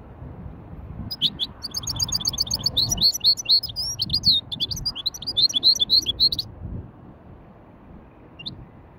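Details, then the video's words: Hybrid bird singing a gentle warm-up in widani style: about five seconds of rapid, liquid twittering with repeated slurred high notes and quick trills, then near silence and a single faint chirp. "توليعة خفيفة تغريد ويداني لهجين"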